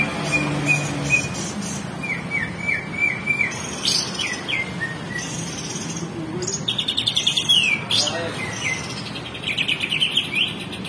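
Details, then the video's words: Banyuwangi greater green leafbird in a training recording, giving short level whistles and rising chirps, then a dense burst of high buzzy, scratchy twittering near the end, with low rumbling background noise. "Track Cucak Ijo Banyuwangi"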